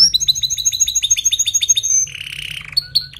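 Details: Song of a canary, offered as tutoring for weak singers: a fast, even trill of bright repeated notes for two seconds, then a lower buzzy rattle and a few sharp chips.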